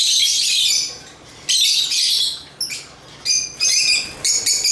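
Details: Chirping African lovebirds (Agapornis): a long rasping burst of shrill chatter, a pause, then shorter squeaky phrases with clear whistled tones, ending in quick repeated buzzy bursts.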